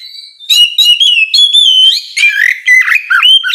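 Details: Loud morning ngeplong song of an Oriental magpie-robin, used to provoke rivals to answer: continuous varied whistles, sliding and warbling in rapid phrases, with sharp accented notes throughout.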